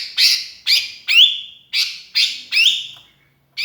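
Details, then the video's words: Sooty-headed bulbul used as a lure, calling to its companions: slow series of loud, scratchy notes, each sliding down into a drawn-out whistle. "kutilang kesepian gacor mangil kawan jos buat pancingan"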